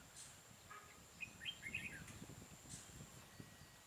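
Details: Red-whiskered bulbul, a wild bird answering a caged decoy during trapping on 12 April 2018, gives short bright whistled phrases of rapid warbled notes, with a faint steady high tone and low rustling beneath.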